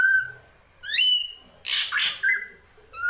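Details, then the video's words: Srigunting krantil drongo used as a master for songbirds: a long whistle, a sharp upsweeping note, then harsh grating bursts and a rising whistle at the close. "MASTERAN SRIGUNTING KRANTIL FULL ISIN"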